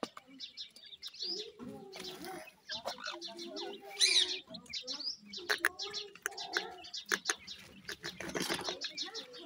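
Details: Irani teetar (francolin) chicks feeding; short high cheeps scattered throughout, one louder squeaky burst near the middle, mixed with tapping clicks and faint low voices.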